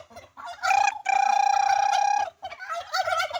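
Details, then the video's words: A turkey gives a loud, rapid gobbling rattle lasting over a second, framed by shorter bursts of gobbling before and after. "Turkey makes sound"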